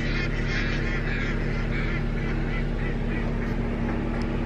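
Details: About 57 mallards, mostly females (uploader thinks), cross a street by a lake, giving nasal, overlapping quacks about four times a second over a steady low rumble of traffic.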